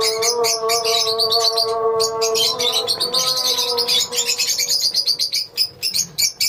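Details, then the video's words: Lovebirds in a colony keep up a dense, shrill chattering of rapid high chirps and twitters, many birds calling at once, over a steady droning hum with layered tones. "Love bird colony"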